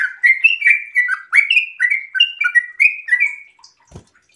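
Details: Breeding-condition sooty-headed bulbul in rapid 'ropel' delivery: a fast chain of liquid, slurred whistled notes rising and falling, ending in quiet with one soft thump.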